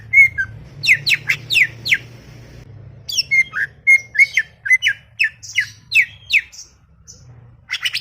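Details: Greater green leafbird chattering with scattered thin whistles among dense, sharp downslurred chirps, repeated in a lively, uneven stream over a faint hum.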